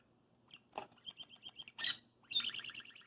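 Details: Hand-raised six-month-old pet parakeet playing with its bells just before bed, giving a quick series of short chirps about four per second, then a louder burst and a rapid warbling run, with bell jingles and handling noise.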